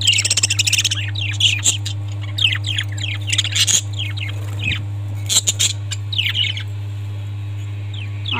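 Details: Pet budgies at home chirp busily, with rapid downward-sweeping high twitters and warbled notes in quick bursts over a steady low electrical hum.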